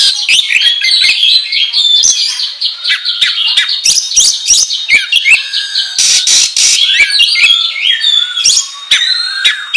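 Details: Oriental magpie-robin, known as kacer, singing nonstop as a training lure: a dense torrent of high chips, clicks, trills and whistled sweeps, busy and loud throughout.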